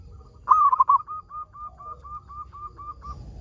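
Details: One loud, stuttering, rolling coo from a local zebra dove, sung to prompt other zebra doves to sing, trails off into about ten soft, evenly spaced short coos.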